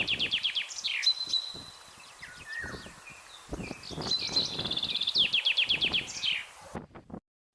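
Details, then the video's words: Common Chaffinch song: two bright phrases of quick, repeated high notes that slide downward, each ending in a short rising flourish, separated by a brief pause, with soft rustling and low thumps underneath. "CHANT DU PINSON DES ARBRES"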